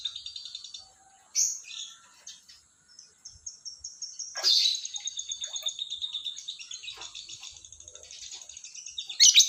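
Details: Lovebird in the morning, giving scattered harsh, buzzy chattering bursts and squeaky notes with quiet gaps, loudest near the middle and end.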